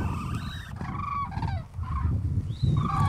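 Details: Common cranes calling during mass spring migration over Strabrechtse heide, Netherlands, on 5 March 2013; a few loud rolling trumpeting notes over heavy low wind rumble.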